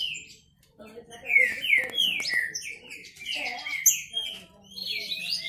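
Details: Male Green-winged saltators kept as pets, singing in rivalry. After a short quiet start, rapid falling whistles and clipped clicks build into a busy overlapping chorus.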